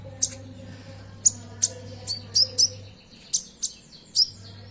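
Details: Common Iora (konin) song used as a lure to get caged birds singing: sharp, high, piercing chirps and short downslurred notes, about nine in five seconds at irregular intervals, over a faint steady low hum.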